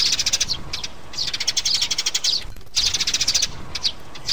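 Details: Sparrows, mother and young, played to draw birds into traps: rapid twittering chirps, high and sharp, in two dense bursts split by a brief gap at about two and a half seconds.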